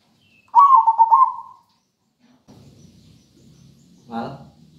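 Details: Local zebra dove with a melodious rhythmic song for encouraging reluctant birds; one short pulsed coo at the start, then low rumbling background and a brief human exclamation toward the end.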